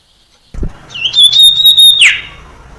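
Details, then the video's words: Common iora (sirtu cipoh) song used as a lure to train young birds to sing fluently. After a dull knock, one long, level, high whistle holds steady for about a second, then slides sharply downward. "Suara Burung Sirtu Cipoh PANCINGAN sirtu cipoh TERAMPUH"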